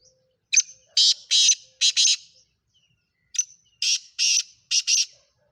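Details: Black francolin of the Sindhi Speeder strain, offered for sale, gives its grating call twice in near silence: each phrase a sharp tick, two wide rasping notes, then a quick closing pair.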